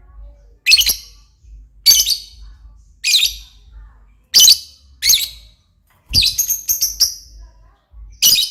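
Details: Lovebird, described as very vocal and lively, giving loud, harsh, shrill squawking bursts about once every second, each short and raspy, with a longer rapid chattering run near the end; otherwise quiet with a faint low hum.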